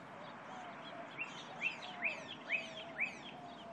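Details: A Pyrrhuloxia northwest of Tucson, Arizona, on 22 April 2015 sings a run of five sharp, slurred whistles, about two per second, over a steady background hiss with faint higher chips; White-winged Doves in the background.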